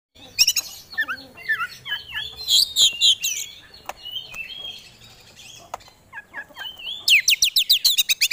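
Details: Kacer, an oriental magpie-robin kept as a songbird for competitions, singing a varied rich song of whistled slurs, buzzy notes and scratchy chatter, ending in a fast run of sharp repeated chips.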